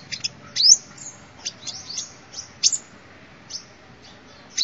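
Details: Sunbird calls intended as a lure: separate thin, high notes, some sliding upward and others falling, spaced irregularly across a quiet background.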